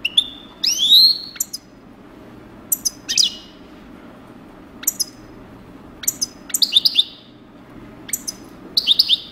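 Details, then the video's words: European goldfinch in coupleur song, giving repeated bursts of liquid twitters and downward-swept chirps, some buzzy, separated by short pauses, with a steady low background hum. "chardonneret coupleur"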